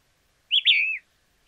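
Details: White-crested Elaenia from Argentina: a single clear whistled phrase, a short high note followed by a longer slurred whistle that drops slightly in pitch, against a silent background.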